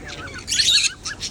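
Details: Pet parrot kept as a companion bird, vocalizing at home. A brief burst of bright, squawky, buzzy sound sits between softer chirpy notes, all within about a second and a half.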